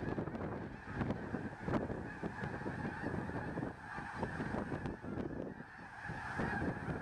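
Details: Spring migrating snow geese, some 40,000 to 50,000 birds, on a farm near Freezeout Lake, Fairfield, Montana, on a March morning; steady, dense clamour of honks from the huge flock, with rumbling wind underneath.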